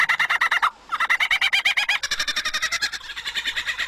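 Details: Superb lyrebird mimicking a laughing kookaburra, a rapid series of rhythmic, repeated cackling notes rising and accelerating into a dense rolling chatter.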